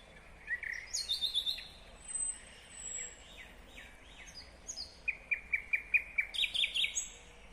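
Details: Nightingale song recorded in Kyrgyzstan, 2020. Varied phrases of slurred whistles and buzzy notes give way to a loud, rapid series of clipped repeated notes, then a harsher high burst at the end.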